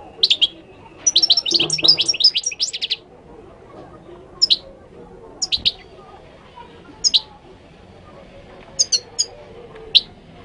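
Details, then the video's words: Moroccan goldfinch song: a three-second stream of rapid, high tinkling twitters, then isolated sharp chirps and brief doubled notes at irregular intervals of one to two seconds over a quiet murmur. "تغريد الحسون المغربي chant de chardonneret marocain"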